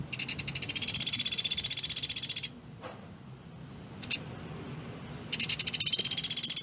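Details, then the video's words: Pelatuk beras woodpecker, a bird kept to tutor other songbirds, giving its dense rapid-fire call: a high, buzzy trill of fast pulses lasting about two seconds, a pause with faint clicks, then the trill starting again. "Masteran Pelatuk Beras Suara Jernih"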